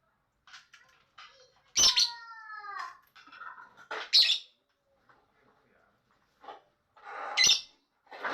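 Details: Lovebird chatter: irregular bursts of shrill, harsh chirps and squawks, with one drawn-out harmonic note that slides downward, separated by short pauses and soft twittering over about eight seconds.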